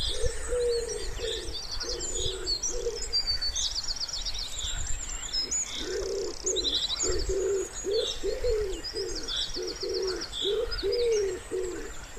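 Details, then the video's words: Wood pigeon by a still pond in spring, giving soft, deep coos in a steady repeated series over twelve seconds, with high twittering songbird trills and chirps layered above. "Wood Pigeon Sounds"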